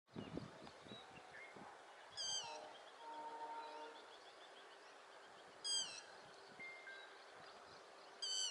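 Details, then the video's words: Yellow-wattled lapwing, a ground bird of the Indian Subcontinent, calling while running: three short, sharp, high calls with stacked overtones, each dropping slightly in pitch, spaced about three seconds apart, over soft whistles from other birds. "Yellow Wattled Lapwing calling and running"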